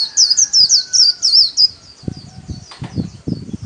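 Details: Solo white-eye song in the 'khuyên líu' style used to train kept birds: a fast run of high, looping warbled notes for over a second, then softer twitters among low knocking sounds.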